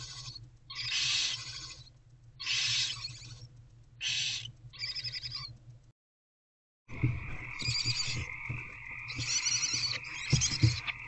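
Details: Barn owl owlets in a nest box at night in February. Several rasping hisses, a short silence, then mixed hissing with a steady higher tone and faint knocks.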